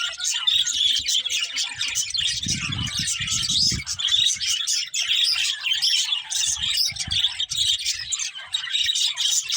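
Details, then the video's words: Pet budgerigars keep up an unbroken stream of shrill twittering and scratchy warbled chirps, with muffled low thumping in the background around the middle and later. "Cute Budgies Chirping Sounds"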